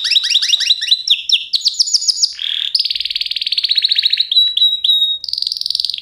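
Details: Canary singing continuously: quick descending whistled notes, a brief buzzy phrase, then long, very fast rattling trills at a steady high pitch, changing tours every second or two.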